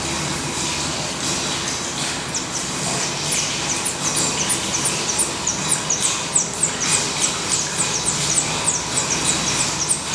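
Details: Black redstart calling at its nest in Portugal, filmed daily until the chicks fledge: many short, very high notes that start faint and grow into a dense, quick, uneven series in the second half, over steady background hiss.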